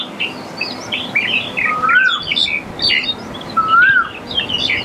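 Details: Black-collared starling calling: a busy stream of harsh chattering and squawky notes, broken by two clear, slurred whistles that rise and then fall, about two seconds apart.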